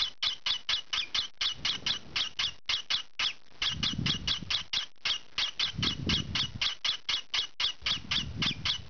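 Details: Green pied peach-faced lovebird youngster calling as it scratches indoors: long series of shrill, rasping squawks, fast and uneven, with low scratching rustles swelling between them around four, six and eight seconds.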